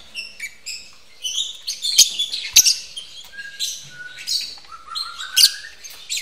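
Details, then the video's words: Lovebirds mating at a breeding aviary that also keeps white-rumped shamas; rapid bursts of high, sharp chirps and chattering notes with clicks, followed by a few lower, drawn-out whistled notes rising near the end. "Burung lovebird kawin"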